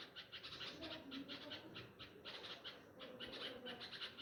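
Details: Nightingale parents crying after losing their chicks at a nest in a tree beside flowering pomegranate plants at a home, after a cat heard the family chirping. Harsh, sharp chirps repeat rapidly and steadily, several per second.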